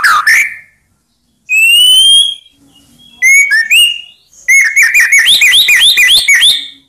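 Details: White-rumped shama singing to provoke rivals into replying: a short slurred note, a long rising pure whistle, brief sliding whistles, then a fast run of repeated high rising notes over a steady whistled tone.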